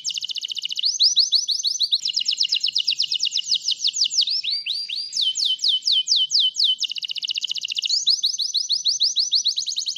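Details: A white canary sings a long, continuous song of rapid trilled phrases, each a fast run of high, bright notes, switching tour every second or two without pause; the song is used to train other songbirds.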